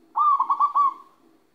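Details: Moulting local zebra dove kept in Magelang, Central Java, Indonesia, gives a single rolling coo: several quick throbbing pulses run together into a sub-second trilled phrase, with a faint low murmur underneath.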